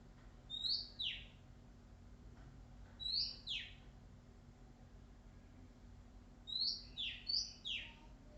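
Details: Wild Oriental magpie-robin singing: short bright whistled phrases with sharp downward-sweeping notes, given in three bursts, the last a quick run of three notes, over a low steady background hum.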